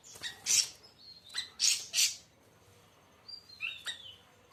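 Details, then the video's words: Siri siri raja, called siri siri besar, giving loud explosive high chirps in twos and threes, then softer whistled notes and a final sharp chip. "kicau burung siri siri raja"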